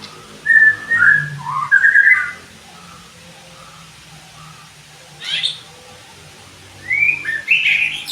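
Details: Song of the white-rumped shama (murai batu), meant as training therapy for singing birds: a tumbling whistled phrase, a long pause, a sharp high burst, then another rising whistled run near the end.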